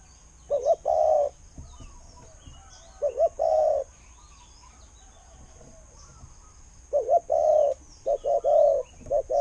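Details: Spotted dove kept as a decoy and praised for its good voice. Deep cooing phrases of a short quavering double note and then a drawn-out coo; two phrases, a long pause, then closer repeats.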